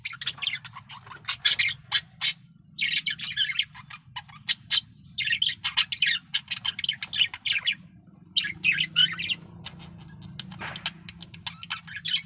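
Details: Male budgerigar in strong breeding condition singing a long chattering warble of rapid scratchy chirps and squeaks in bursts, with short pauses; low steady hum underneath.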